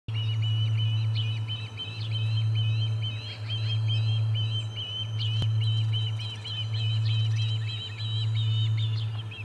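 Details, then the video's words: Osprey at the Charlo nest on 4 September 2020, driving an intruding osprey off the nest: a steady, continuous series of sharp, high whistled chirps throughout, over a loud constant low electrical hum. "C11 evicts intrusive Osprey"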